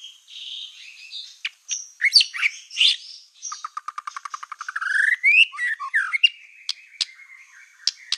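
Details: Black-tailed white-rumped shama singing a provoking song meant to make other shamas agitated: scratchy high notes, a rapid staccato rattle of clicks rising into a swept whistle, then sharp isolated chips, in a clean recording.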